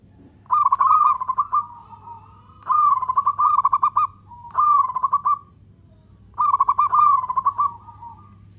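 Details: Zebra dove, local type, in full voice with long cooing meant as a lure for other doves: four rolling coo phrases of rapid pulsed notes ending in sustained tones, repeated roughly every two seconds over a low hum.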